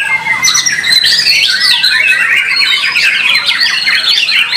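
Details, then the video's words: Competition white-rumped shama, praised for its song style and power, opening with a few clear whistles, then a fast cascade of sweeping, warbled and chattering phrases. "Murai Batu BARRACUDA Tampil Mak Nyuss"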